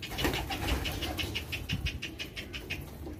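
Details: Young homing pigeons during hand-feeding keep up rapid, regular wheezy pulses, roughly four a second, with soft low thumps and handling noise underneath.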